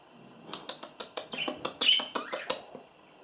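Budgerigar chatter: a quick run of bright, scratchy chirps and a short whistled note.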